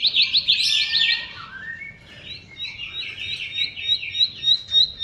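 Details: Bar-winged prinia song meant to coax silent birds into singing: a jumbled warble at first, a brief lull, then spaced high chirps quickening toward the end.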